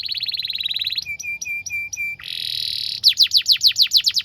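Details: Canary song meant to train young canaries: a rapid trill, a series of short flat notes, a buzzy roll, then loud repeated downward-sweeping whistles.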